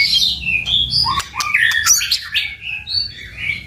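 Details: White-rumped shama singing 'tạch' style to stir birds to fight: quick varied whistles and slurs with a couple of sharp clicks, over steady low background noise.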